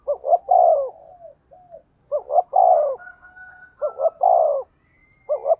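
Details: A decoy spotted dove in 'thổ' voice delivers 'thúc gù' coos: three phrases of short rising notes and a long low coo, with a faint thin whistle from another bird in the background.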